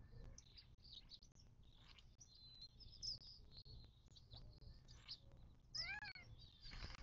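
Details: Birds at a western Mojave Desert watering hole near Joshua Tree National Park, southern California, 19 March 2024: busy high twittering chorus, then a prominent downward-arching harmonic call near the end.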